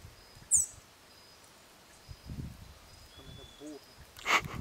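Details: Fawn-breasted tanager (Pipraeidea melanonota), call.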